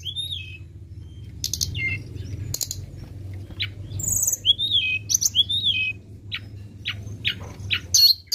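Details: Flowerpecker song used as a lure, high thin metallic chirps and short downslurred whistles in scattered bursts, with sharp ticking notes, over a low steady hum.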